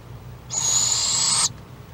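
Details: Nest-box barred owlet at Lake Okeechobee, Florida, on 5 March 2017, hollering at the second owlet outside: a steady, wheezy, high hissing screech held for about one second, then stopping abruptly over a low background hum.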